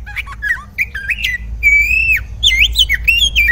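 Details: Oriental magpie-robin (kacer) kept by a hobbyist, singing vigorously. Loud, rich slurred whistles rise and fall in quick varied phrases over a steady low hum.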